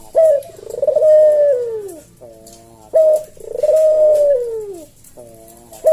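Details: Javanese collared dove kept for masteran and pancingan, singing the slow senggang 'kuk deruk' coo: two full phrases about three seconds apart, each a short accented note, a long falling coo and a throaty lower ending.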